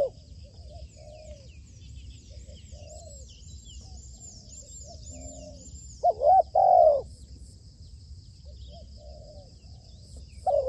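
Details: Decoy spotted dove under training for dove trapping. Soft hoarse coos repeat steadily at first, then one much louder drawn-out coo rings out near the middle and another at the end, over a low background hum and faint high chirps.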